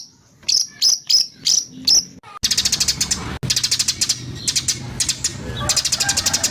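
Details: White-rumped shama training recording with harsh 'tembakan' phrases. Five slurred, emphatic notes at a steady pace, then an abrupt switch to fast, rattling runs of high clicks.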